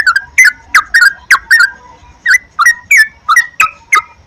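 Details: Yellow-vented bulbul lure song, played to make captive birds sing diligently: evenly spaced, bubbly slurred notes, mostly single or paired, about three per second throughout.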